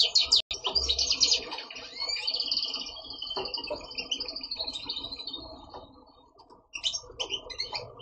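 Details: A captive male European goldfinch, which sings all day until dark, sings a rapid, high, liquid twitter of tinkling trills and scratchy notes, over a faint murmur of background noise.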